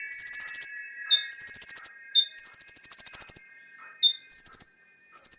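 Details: Konin song used to provoke kept birds into singing: long, high, rapidly pulsed trills separated by single short lower whistles, with a steady faint electrical hum beneath.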